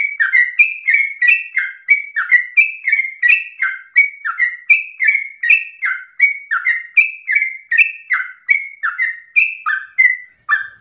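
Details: Lively sooty-headed bulbul sings in the persistent 'ropel' manner, a long unbroken string of liquid whistled notes, roughly three per second, each bending down in pitch, clean and free of background noise.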